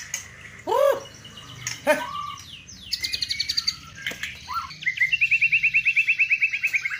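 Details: Luxurious fill-in song of a white-rumped shama, known for its bowing style: loud, rich, rising-falling whistles, then a fast, even trill of clear notes about three per second that runs steadily to the end.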